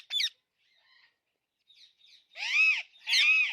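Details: Alexandrine parakeet: one sharp squawk at the start, faint chatter, then two loud, drawn-out, arching harsh calls rich in harmonics, about half a second apart.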